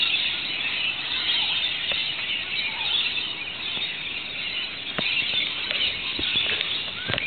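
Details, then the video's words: In Australia, as rain starts after sweltering hot days, local Rainbow Lorikeets and other birds give a dense, continuous chorus of shrill, screechy overlapping calls over a steady hiss of rain. "the local Rainbow Lorikeet's and other birds started rejoicing"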